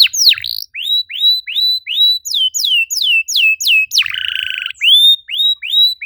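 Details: Canary repeats high, clear whistled notes about three per second, swooping down then up, and breaks into a short buzzy rattle; presented as a song lure to get canaries singing.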